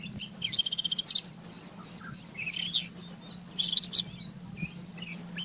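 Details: Rufous-tailed scrub robin in the wild, singing a rapid trill of about eight identical high notes followed by warbled, slurred phrases, then another dense burst of notes and scattered chirps; a low steady hum runs underneath.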